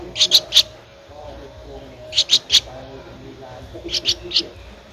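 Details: Streak-eared Bulbul chick at 13 days old, Ubon Ratchathani, Thailand, 15 April 2023: three spaced bursts of three sharp, high chirps each, about two seconds apart, the last set slightly softer.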